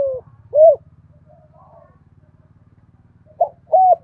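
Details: Spotted dove of thổ pha đồng voice style cooing to challenge and call: two arched coos, a long pause with faint murmurs, then a short note and another arched coo, over a persistent low mechanical hum.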